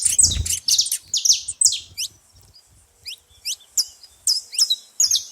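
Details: Saffron finch at a feeding place: a dense burst of high chirps at first, then sparser single upward-flicked notes spaced irregularly, over near-quiet background.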